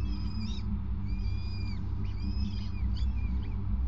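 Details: Peregrine falcon at a nest on a grating at a Gasunie site, 5 May 2019 at 20:54, as the male hands over prey; thin, wavering whistled wails repeat in short bursts above a constant low mechanical hum.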